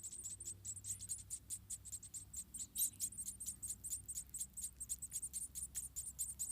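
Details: Wild munia chicks, about four in a nest in Indonesia, beg while the mother feeds them one by one: rapid high, thin squeaky notes repeated over two per second, with a low hum underneath.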